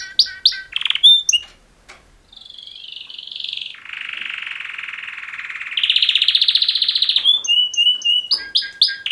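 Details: Mating song from two male canaries: a few sharp opening notes, a gap, then a long rolling trill that grows louder and higher, followed by short whistled notes.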